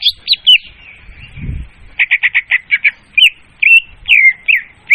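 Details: Leafbird song used to lure birds for trapping, clear and loud: a few chirps, then a rapid string of short, even clicking notes, followed by sweeping slurred whistles, with a low rumble early on.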